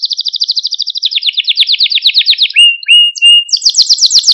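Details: Song of a Malta breed canary, used for stimulating canaries: rapid rolling trills shift downward in pitch, followed by pure sustained whistled notes and a fast high chattering trill at the close.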